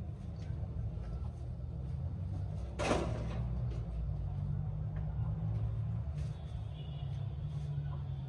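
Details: A low steady rumble fills the background, broken once by a sharp knock like a door.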